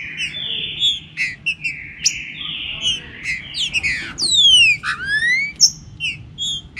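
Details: Green-winged saltator giving warm-up song with the phrase called 'chuva com boi': clear whistled slurred notes that rise and fall, broken by sharp descending sweeps and brief chips, over a steady low rumble.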